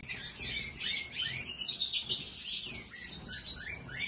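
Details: European goldfinch song: a dense, continuous run of fast twittering, tinkling and buzzy notes set high, with a steady chattering flow and a faint low background rumble.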